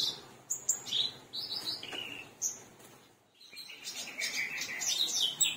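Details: Black-browed reed warbler song of high clear whistles and sliding notes, a brief pause, then a dense run of harsh, fast chattering phrases.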